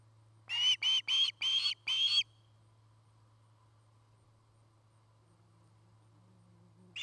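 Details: Osprey at a Charlo, Montana nest, recorded by a nest cam in 2018: a quick burst of five sharp whistled chirps, then near silence with only a low background hum.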